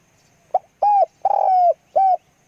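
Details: Decoy spotted dove cooing: a brief opening note followed by three hollow, mellow coos, the middle one longest and slightly falling, with little background noise.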